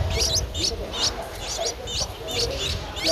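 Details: Streak-eared Bulbul nestling, 11 days old, Ubon Ratchathani, Thailand, 13 April 2023, repeating short, high, twisting squeaks about three times a second, over a low background rumble.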